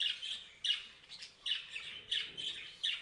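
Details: Parrots chirping: bursts of harsh, buzzy high chirps in clusters roughly every half second to second, with short quiet gaps between groups.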